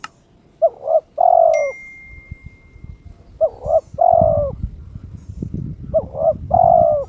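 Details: Three challenge phrases from a kept spotted dove in breeding condition, each a double coo followed by a long drawn coo, with a brief thin tone early on and low rustling noise between phrases.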